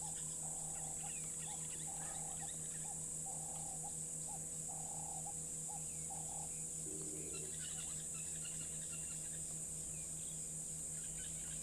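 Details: Black-headed Oriole calling in rural surroundings with doves nearby, repeated short mellow notes through the first half, a lower cooing phrase near seven seconds, faint insect buzz and constant hum.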